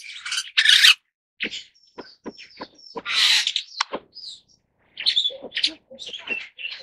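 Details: Superb starling giving loud harsh bursts, crisp clicks and a thin high whistle, then varied squeaky chattering notes.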